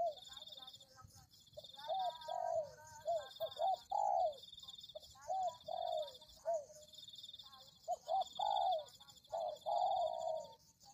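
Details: Spotted dove coos played as a lure to draw in doves. Repeated phrases of short hooked notes end in a longer descending coo, with gaps of about a second. A constant high-pitched buzz sits underneath.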